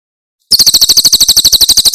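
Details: Short burst of Javan prinia song from Cililin: after half a second of quiet, a quick series of sharp, ringing, high notes in a steady rhythm.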